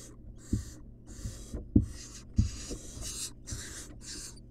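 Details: Wild barn owl chick in a monitored nest box, begging while being fed a rat: a string of harsh, breathy hissing bursts, each about half a second, with short gaps between them. Low knocks and thumps from the box.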